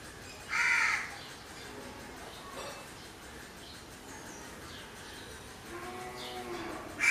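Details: Single loud hoarse caw from a crow near the start, followed by long quiet with faint distant calls and a weaker call at the end.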